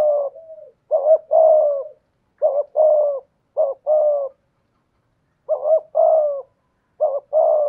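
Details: Decoy spotted dove with a 'thổ' voice, beginning with faint soft coos, then five paired phrases of a brief quavering note and a drawn-out mellow coo, broken by a long silent gap.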